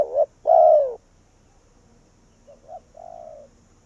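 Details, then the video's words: Vietnamese spotted dove used as a decoy to lure wild doves in, giving a short two-part coo followed by a longer, lower, falling croo. A fainter, softer repeat of the same phrase comes about two seconds later. "Cu Gáy Việt Rút Bổi Về Chung Tàn | suara burung tekukur"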